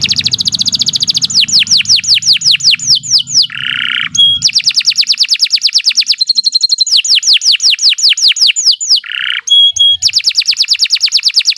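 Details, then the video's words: Canary song for training young birds: fast rolling trills of down-slurred notes, broken by a short buzzy burst and a pure steady whistle, then more rapid trills. "Kicau Burung Kenari II GACOR PANJANG Cocok untuk Masteran"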